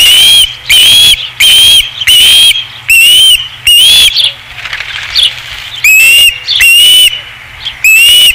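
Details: Osprey at a nest at Dunrovin Ranch, recorded 5 August 2016: loud, piercing whistled notes, each slightly rising then level, repeated in a steady series of about ten calls, with short quiet gaps and faint softer chirps between.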